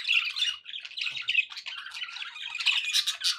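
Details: Domestic budgerigars twitter rapidly, a fast string of scratchy chirps and whistled notes running several per second, growing brighter and shriller toward the end.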